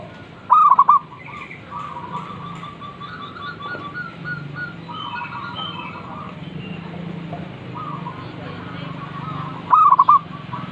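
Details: Zebra dove heard calling in the morning: two short, rapid cooing trills of stuttered notes, one near the start and one near the end, over a low steady hum and faint background sounds.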